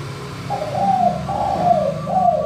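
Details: Manggung coo of a clear-voiced spotted dove, used to lure other doves into calling: a close, husky three-part coo, each note gliding downward, over a soft low hum.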